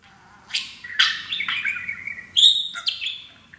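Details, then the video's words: Male pet parakeet, happy on his new playground, chatters in quick, scratchy bursts and high chirps with one bright whistled note, mimicking taught phrases such as "baby bird" and "pretty bird". "the TALKING Parakeet"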